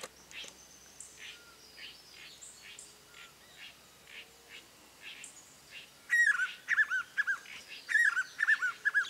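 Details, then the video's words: Spot-backed puffbird recorded at Boa Nova, Bahia, Brazil: faint background chirps and whistles from other birds, then a loud series of wavering whistled notes near the same pitch, each note breaking into quick ups and downs, repeated several times. "Rapazinho-dos-velhos (Nystalus maculatus) Spot-backed Puffbird"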